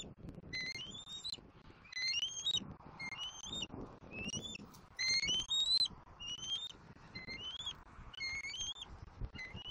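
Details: A juvenile bald eagle calls to its mother from its Southwest Florida nest in April 2024. Rising, piping squeals come in steady pairs across the whole stretch over faint low background rumble.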